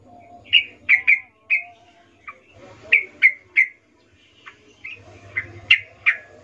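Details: Wild yellow-vented bulbul calling lively: irregular bright chirps, single and in groups of two or three, spread across several seconds over low background rumble and faint distant birds.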